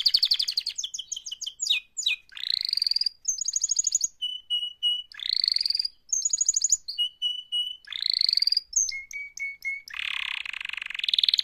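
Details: Canary in active mating song, mixing sharp descending chirps, buzzy upward sweeps, flat whistled notes, quick trills and a final rough, noisy phrase.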